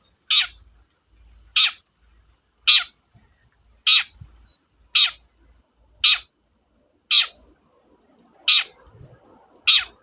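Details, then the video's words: Long-tailed shrike lure recording for shrikes that will not sing: a steady series of nine harsh, scratchy screech notes about one to one and a half seconds apart, with low rumbling underneath. "BURUNG CENDET GACOR, PANCINGAN KHUSUS CENDET MALES BUNYI"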